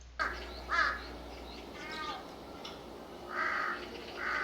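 A crow gives about five harsh, hoarse caws at uneven intervals over four seconds. A low steady hum runs underneath.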